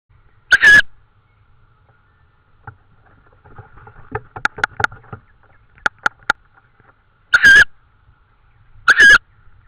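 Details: Tawny owl in Estonia, recorded 24 May 2013 at 21:41, clapping its beak after hearing something: sharp dry clicks in scattered runs mid-clip, framed by three louder, harsher noisy bursts near the start and end.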